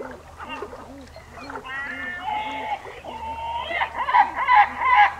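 Great black-backed gull giving deep, gruff notes in a steady series, about two a second, then louder, harsher calls toward the end.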